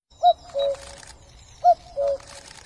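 A cuckoo gives its familiar two-note 'cu-coo', a higher note dropping to a lower one, heard twice about a second and a half apart over faint background hiss.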